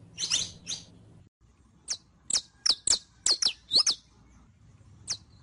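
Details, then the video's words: Captive saffron finch (canario criollo) song for teaching another bird to sing: a quick double note, a pause, then a run of sharp high descending chips, with one last chip after a gap. "ENSEÑA A CANTAR A TU CANARIO CRIOLLO CON ESTE AUDIO DE 15 MINUTOS [SICALIS FLAVEOLA]"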